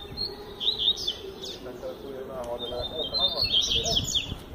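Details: High, quick, chirping whistles from a double-collared seedeater in the Tui Tui Zel Zel song style. A denser run of notes builds toward the end, partly under low human voices.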